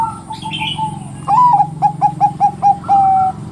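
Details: A Bangkok zebra dove singer that goads other doves into song: a high rising whistled note, a rhythmic series of five soft short coos, and a sustained even final tone, with faint cooing from another dove first.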